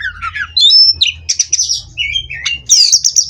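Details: Oriental magpie-robin from a breeding farm, in a rich song that opens with low warbles, then clear sustained whistles and falling slurs, closing with a buzzy high trill.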